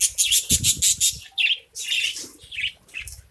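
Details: Caged budgerigars in a colony feeding on grain, giving rapid bright chirps, about two per second, in the first second, then scattered harsher chattering notes with some low rustling.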